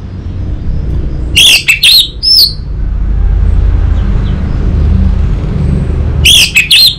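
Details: Orange-headed thrush phrases played to prompt an untrained young bird: two short bursts of sharp, ringing whistles and slurred notes separated by several seconds of low background rumble.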